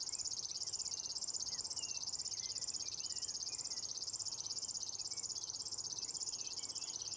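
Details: River warbler singing in a lupine meadow at Nolby, Sweden, on 23 June 2021, giving its steady, insect-like mechanical buzzing, a high pulsed 'zre-zre-zre' repeated without pause; faint whistles of other birds behind.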